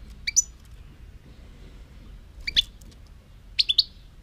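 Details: European goldfinch uttering short, varied, liquid chirps in small clusters of two or three notes, some rising and twangy, separated by brief pauses in a quiet setting.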